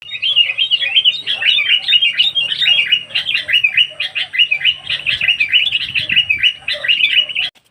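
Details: Sooty-headed bulbul song used as a bird-trapping lure: a dense, continuous run of bubbly, chattering whistled notes that rise and fall quickly, with no pause for about seven seconds.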